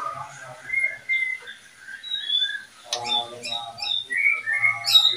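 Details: Caged murai and kacer breeding pair giving quiet sweet whistled notes, then a sharp click and louder rising whistles and chatter toward the end.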